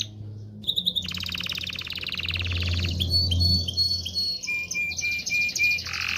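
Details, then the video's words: Canary song for stimulating male and female canaries to mate: a sustained buzzy rolling trill followed by short high whistles and chips, with steady low humming noise underneath. "تغريد كناري لتدريب ذكور واناث الكناري على التزاوج. صوت كناري لتزوج .. Canary singing"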